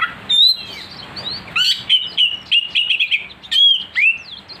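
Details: Oriental magpie-robin singing fiercely after being provoked, with a run of clear whistles, quick slurred notes and upward sweeps packed closely together, then a final rising whistle.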